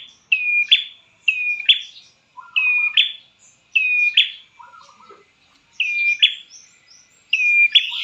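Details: Prenjak klawu, a prinia, calling as a lure to make caged birds sing: repeated high, flat whistles each snapping into a harsh buzzy note, interspersed with a few lower soft chattering notes and brief gaps.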